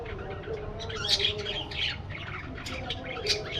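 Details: Budgerigars in an aviary, a flock chattering together: dense overlapping chirps and warbles, bright and high, with sharper squeaky accents near the middle and end, over a steady low background rumble.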